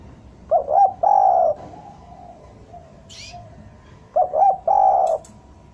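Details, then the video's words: Two phrases from a spotted dove kept as a lure to bring doves down. Each has rapid short coos and then a long sustained note, about three and a half seconds apart, with a faint distant chirp between them. "Suara derkuku bahan ini sangat pas untuk pancingan tekukur pikat agar mau turun"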